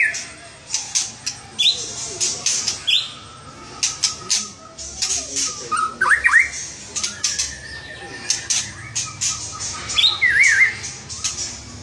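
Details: White-rumped shama in vigorous (gacor) song, mixing rapid harsh crackling bursts with short clear whistled phrases, some slurred up and down, repeated throughout with brief pauses.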